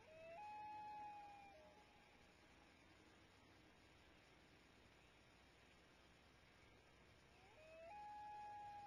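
A loon gives two long, haunting wails, each sliding up and then holding a steady pure note for about a second, spaced roughly seven seconds apart over soft background hiss.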